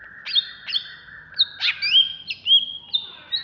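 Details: Agitated greater green leafbird, a caged bird from Alas Purwo kept in Bekasi, giving high whistled notes over a steady lower tone, with sharp downslurs and sliding upward whistles.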